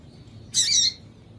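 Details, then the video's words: Female yellow-bellied seedeater calling, a sound breeders use to excite males for singing tournaments: one harsh, buzzy high chirp lasting about a third of a second over a faint low background hum. "Piado de Fêmea de Papa capim para Esquentar Papa capim"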